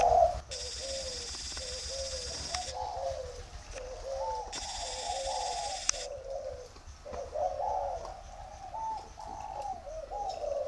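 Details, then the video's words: Spotted dove giving dây vàng style cooing: a steady run of low, slightly wavering coos, with two long bursts of bright, hissing noise above them. "dây vàng"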